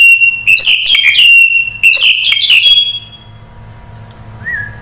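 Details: Crested myna (jalak Hongkong) song: two loud bursts of harsh, squeaky whistled notes over a steady high tone, then a quiet gap with one short rising whistle near the end.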